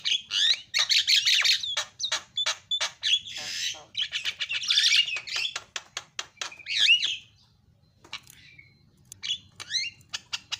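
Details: Javan myna song, fast and lively, used to make other mynas sing: dense scratchy chatter and rapid clicking series, a few rising whistles, a pause, then scattered squeaky notes.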